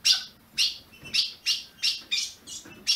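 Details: Ultramarine grosbeak (azulão) held in captivity in Brazil, recorded to stir other caged birds: seven loud, bright, snapping chip notes in three seconds, evenly spaced about half a second apart, with no other sounds.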